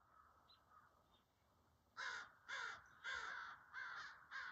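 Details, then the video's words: Crows arriving at woodland edge where deer feed, 8 February 2024: one crow gives five harsh, raspy caws in a quick series, about two per second, after a quiet start with faint distant calls. "The Crows Call"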